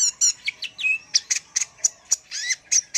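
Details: Energetic sunbird singer giving high, thin chirps and short whistled notes, some falling sharply, spaced in quick irregular bursts with brief pauses between them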